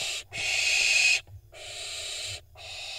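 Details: Barn owl fledglings in Israel on 25 June 2021, vying for position before a prey drop, give loud rasping hisses; one long hiss, a gap, then another sustained hiss.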